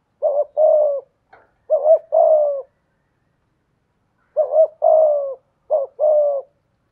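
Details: Decoy spotted dove cooing in the 'thổ' voice: two paired phrases of a short quavering note and a longer hollow coo, a pause of nearly two seconds, then two more pairs, with no other sounds.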